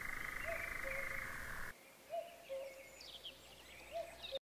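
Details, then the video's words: A European nightjar's steady, dry churring runs in the background while two bears stand in front of a hide near Årjäng, Sweden, with a cuckoo repeating its low two-note call and other small birds chirping. "Nattskärra och Gök i bakgrunden"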